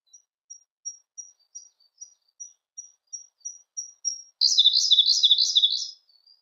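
Siberian blue robin song: a slow run of thin, high ticking notes about three per second, then a sudden loud, rapid, tumbling trill.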